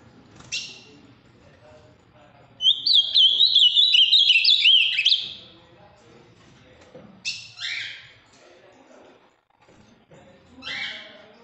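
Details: Ultramarine grosbeak, a large, deep-blue male from Minas Gerais with a very firm song, giving a rich, fast, warbled phrase of about three seconds with a few short sharp chip notes before and after; faint low background hum.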